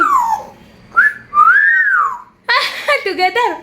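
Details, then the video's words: Pet African grey parrot in a small room making drawn-out whistled tones, one arching up and down smoothly, followed by rich harmonic speech-like sounds with quick pitch wobbles. "African Grey Parrot is talking nonstop!"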